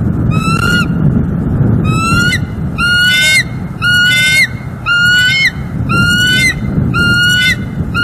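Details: Bald eagle pair at their Northeast Florida nest, captured on a live cam, December 18, 2023: a steady series of seven upslurred, squealing notes spaced about a second apart, with constant low-frequency noise beneath.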